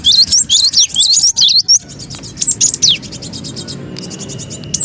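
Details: Cinereous tit lure call for trapping birds, noisy and excited: tight clusters of sharp, high twisting chirps, then quieter ticking runs and a few falling whistles, with a faint low hum beneath.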